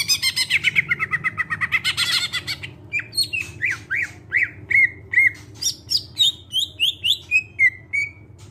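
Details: Greater green leafbird song, used to prompt other birds to sing: a rapid harsh chattering run, then clear downslurred whistles repeated steadily, rising to higher notes and stepping back down; low hum behind.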